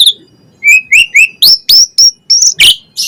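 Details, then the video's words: Asian pied starling repeating short clear whistled chirps several times a second, some rising, ending with a harsher burst. "Jalak Suren Gacor Full Isian"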